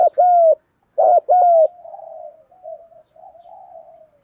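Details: Male and female spotted doves cooing to stimulate birds being trained: two pairs of hollow, level coos followed by a trailing soft, wavering murmur.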